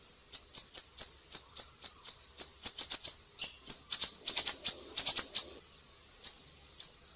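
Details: Siri-siri song for training cage songbirds: bright, high chirps repeated evenly, building into rapid clusters of three to four notes, then a gap before two final chirps.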